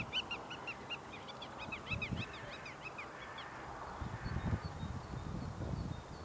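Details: A small group of black-tailed godwits at Alkmaar, Holland, on 28 March 2013 gives rapid series of nasal, upslurred notes, several per second, over steady low wind rumble.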